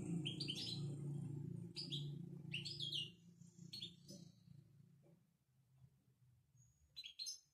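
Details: A Moroccan European goldfinch sings in betbeta style, with bright rising chirps and twittered phrases in clusters over the first half, fading to sparse notes. A low droning hum runs under the opening seconds.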